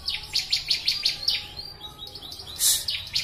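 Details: Sharp, high, repeated chirps of a bar-winged prinia (ciblek) from a training recording, about six quick notes then quieter scattered ones and a brief hiss-like noise burst.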